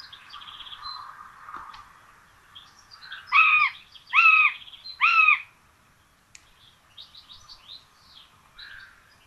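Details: At a common buzzard nest in Tiszalök, Hungary, on 26 June 2022, two chicks are fed rabbit for breakfast. A run of three loud, rising-then-falling slurred calls stands out among soft twittering of small songbirds.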